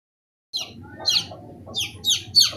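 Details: Fifteen-day-old chicks peeping: after half a second of silence come short, high, down-slurred cheeps in irregular bursts, growing louder toward the end, over a low steady hum.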